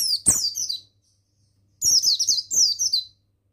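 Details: Masteran song of a male buxtoni mountain white-eye, meant to stimulate captive birds to sing: bright, very high, slurred twitters in two bursts, the second made of three quick descending phrases, over a faint background hum.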